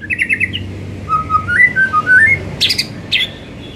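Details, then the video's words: White-rumped shama afternoon lure song: a rapid rattling trill, then a stepped series of clear whistled notes climbing and dipping, followed by two loud broadband chips. "Pancingan SORE HARI efektif jadikan MURAI jadi LEBIH GACOR dan NGEPLONG"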